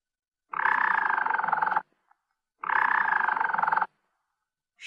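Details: Harz Roller canary singing a low, rolling tour: two sustained, evenly pulsed rolls, each about 1.3 seconds long, separated by a short pause. The song is deep and mellow, with no sharp high notes.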